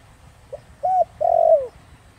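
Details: Spotted dove giving a 'thổ đồng' style coo meant to provoke wild doves: a soft short note, an arched coo, then a long buzzy coo sliding down, over a low background rumble.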